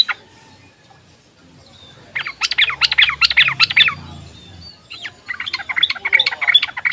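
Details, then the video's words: Ropelan of a yellow-vented bulbul, a lure to start lazy bulbuls singing: two bursts of rapid, harsh, bubbling chatter over a background of outdoor hiss and a low murmur. "ropelan dan panggilan burung trucuk ini sangat memikat bagus buat pancingan trucuk malas bunyi"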